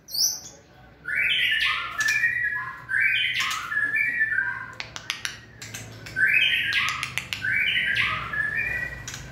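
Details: White-rumped shama in peak 'fire' condition, recorded 20 March 2020, pours out rich, loud, fast phrases of rolling slurred whistles mixed with high squeaky notes and sharp clicks, repeated in bursts.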